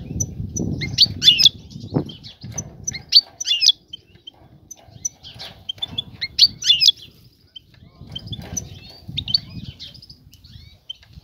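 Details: Female European goldfinch calling to attract a male for mating and nest building; short bursts of high, sharp twittering notes come in clusters every few seconds, over low rumbling background noise.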